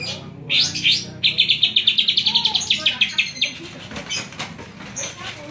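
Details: Greater green leafbird, called cucak ijo, from Banyuwangi in Indonesia, its song filled in with kapas tembak notes. The bird delivers a fast, steady run of sharp chirped notes, then looser, softer trailing notes.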